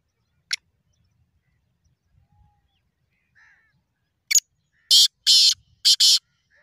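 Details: Black francolin call offered as a sound for francolins that do not call; after a sharp isolated click, four loud, harsh, grating notes come in a quick, uneven burst at the end over an otherwise quiet background.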